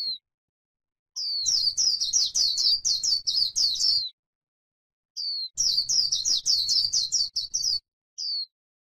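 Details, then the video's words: White-eye from a grassland, its líu-style stimulating song: two long bursts of fast, high, twittering warbled notes, each a few seconds, opened and closed by single thin whistles, with quiet gaps between. "KÍCH KHUYÊN LÍU CHUẨN chim khuyên trên đồng cỏ white eye bird"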